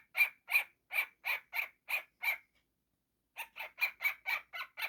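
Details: Baby cockatiel kept as a pet, calling playfully: a string of seven harsh, nasal squawks at an even pace, a brief silence, then six more slightly softer squawks.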